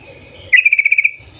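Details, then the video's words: Yellow-vented bulbul (trucukan) morning call to stir other bulbuls into song: a single half-second rapid trill of clear high notes. "Panggilan trucukan gacor Cuk cuk Ropel pagi hari ini SUARA PINTAR menjadikan trucuk lain jadi gacor"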